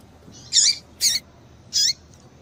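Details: Female papa-capim seedeater calls for exciting a male: three full, slightly buzzy chirps, each sliding down at the end, delivered within about a second and a half, clean and high-pitched.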